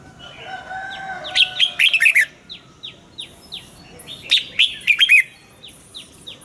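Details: Morning song of a caged red-whiskered bulbul for bird training, wild double-note style: two phrases of fluty whistles, with rapid short falling chirps from other birds repeating between them.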